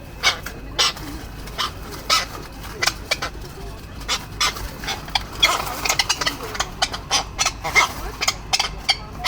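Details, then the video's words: Tropicbirds in an aggressive clash, a male defending his mate and nest site; scattered rasping screeches, irregularly spaced at first, then thickening into a faster, denser run of harsh notes over low background noise. "male Tropic bird fighting to protect mate and nesting area"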